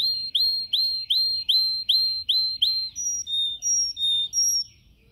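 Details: Yellow canary in a cage, singing for training: a series of seven evenly spaced whistled notes, followed by higher clear tones, then silence.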